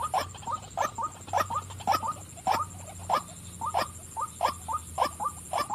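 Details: Female white-breasted waterhen repeating rough, grunting croaks, singly and in pairs, close to two a second with an irregular rhythm, backed by a continuous high electrical tone and soft low hum.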